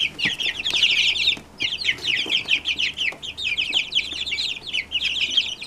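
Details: Brooder of Brahma chicks, all hatched from one hen, cheeping together: a dense chorus of high, short, downslurred peeps overlapping continuously.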